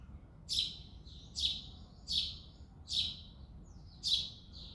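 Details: Male house sparrow chirping in early February morning light: five emphatic, buzzy chirps at a steady pace near one per second, with faint softer notes linking them.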